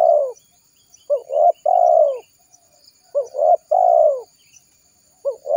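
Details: Lure call of a spotted dove for trapping wild doves: mellow low coos in phrases of two brief notes and one long sliding note, repeated about every two seconds over a faint background hiss.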